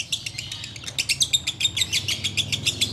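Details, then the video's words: Short burst of ngekek song by a sooty-headed bulbul, rapid piercing pulses with a thin sustained whistle line running through the middle, over a low steady hum. "Menikmati Ngekek Biang Kerok"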